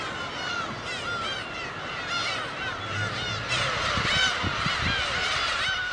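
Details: A breeding colony of black-tailed gulls on Gyeongnyeolbiyeoldo, a remote West Sea island 55 km off Taean, in spring: many overlapping nasal, mewing cries, several each second, with soft low thumps and some background noise.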